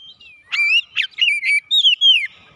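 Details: Oriental magpie-robin song played to prompt caged birds to sing. After half a second of quiet come clear whistled notes: short rising and falling slurs, then longer sweeping whistles that glide downward, in quick sequence.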